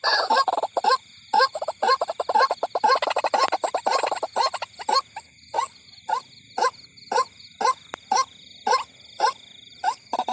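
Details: White-breasted waterhen at night near a cornfield giving harsh, croaking notes: a fast jumbled burst, then steady pulses about twice a second, with crickets trilling continuously behind it.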